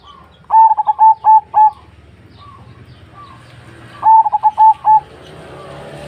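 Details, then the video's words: Zebra dove singing two short bursts of rapid, clipped cooing notes, each phrase a quick run of about five bright coos, separated by a few seconds of near silence with faint low background hum. "sungguh merdu suara burung perkutut ini"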